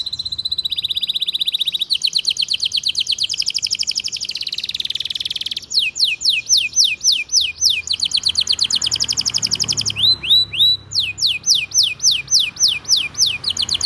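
Canary song of fast, high rolling trills and sharp repeated chirps, switching to a new phrase every few seconds, with a faint low hum beneath.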